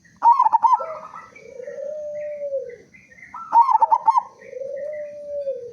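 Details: Local zebra dove singing loudly, used to lure other doves into song: a bright trilled burst of rapid notes followed by a long, low, level coo, the phrase repeated twice.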